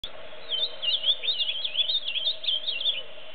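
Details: A wild ultramarine grosbeak (Cyanocompsa brissonii) sings free in nature, a quick, sweet warbling phrase of tumbling high notes lasting nearly three seconds, over a steady low background hum.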